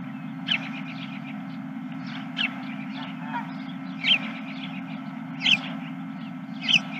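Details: Geese calling late in the evening of 31 March 2023; sharp, nasal honks repeat roughly every second and a half, fainter calls between them, all over a constant low droning hum.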